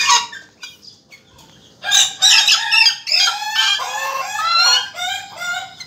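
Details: Laughing call of a black chick: faint chips first, then a loud run of harsh, stuttering notes that break into a long, wavering chattering phrase.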